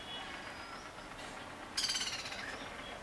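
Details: Black-rumped flameback (Dinopium benghalense) singing: a loud, harsh, rapid rattle of about fourteen notes in roughly one second, after faint thin whistles from other birds.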